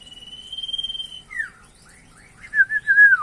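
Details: Common iora singing a varied song: a long steady high whistle, then quick downward-slurred notes and a wavering, warbled whistle near the end.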